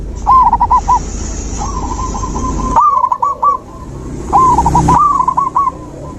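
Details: Zebra dove singing, meant to stimulate a dove that has stopped singing: repeated phrases of rapid rolling coos, several bouts in six seconds, with a steady high hiss and low background noise.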